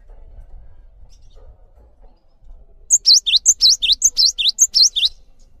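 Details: After a quiet stretch of low rumble, a cinereous tit sings a lively run of about four repeated phrases, each a thin high note followed by two buzzy downward-swooping whistles. Recorded as tutor song for training other birds.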